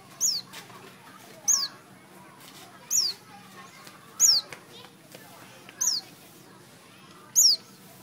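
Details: Everett's white-eye in Thailand giving six thin, very high, down-slurred notes, one every second or so, over a soft background hiss.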